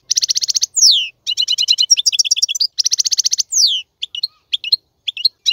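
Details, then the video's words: Male European goldfinch singing for young birds to learn: rapid buzzy trills repeated in runs, descending slurred notes between them, then a sparser closing stretch of separate chirps. "تغريد الحسون : تغريد روعة"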